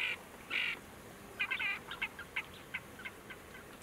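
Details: Harsh, rasping calls of a Ferruginous duck at Tablas de Daimiel National Park, Ciudad Real, Spain, in August 2022: two drawn-out grating notes, then a looser run of shorter croaks that fade away.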